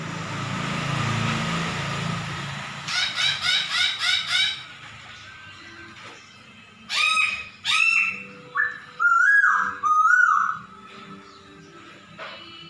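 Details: Laughingthrush imitating a cat's meow: after a hissy start, a quick series of five harsh notes, then spaced loud whistled and slurred phrases, some wavering, with quiet pauses between.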